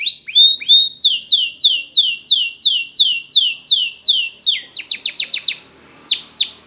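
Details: Spanish Timbrado canary singing a training song: a run of loud downward-sweeping whistled notes repeated about three per second, then a faster buzzy rattling trill and a final sweeping note, no other sounds.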